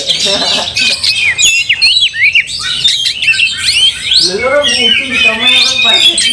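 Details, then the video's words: Fighting Oriental magpie-robin, tail raised in anger against a rival magpie-robin; quick sequences of sharp downslurred whistles and chirps, with a human voice talking under the song in the second half. "Kacer tarung bongkar emosi buka ekor dongkrak amarah bikin kacer lain tambah Garang"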